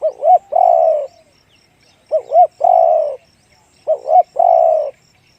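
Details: Spotted dove giving its deep 'one-kook, big voice' cooing: two short arched notes, then a long steady coo, the phrase repeated three times about every two seconds in a quiet setting.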